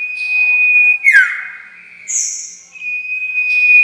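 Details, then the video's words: Common iora lure call for trapping: a steady drawn-out whistle, a sudden falling slur, a buzzy high note, then the long level whistle returns. "Pancingan suara pikat burung sirtu"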